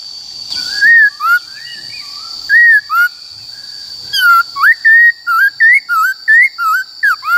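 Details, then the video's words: Black-throated laughingthrush giving forest-style song for voice training of wild-caught and young birds: scattered whistled slurs at first, then a rapid, steady series of clear rising and falling whistles; a constant high whine runs throughout. "Khướu Bạc Má HÓt Giọng Rừng Bao Phê"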